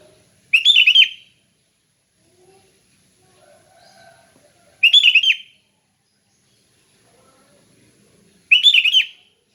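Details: Sooty-headed bulbul singing in the relaxed 'ngeplong' style, three short bubbly warbled phrases spaced several seconds apart, each quickly rising and falling, with near silence between.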